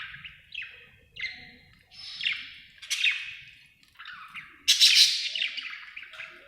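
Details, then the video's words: Happy budgerigar chirping: a steady run of harsh, downward-sweeping chirps about every half second, ending in a louder, noisy squawking burst. "happy budgie chirping sound"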